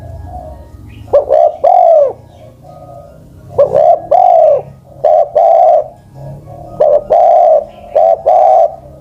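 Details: Old spotted dove over ten years of age, a decoy bird, cooing in phrases of a brief doubled note then a long, slightly arched coo. Phrases come roughly every two to three seconds over a quiet background.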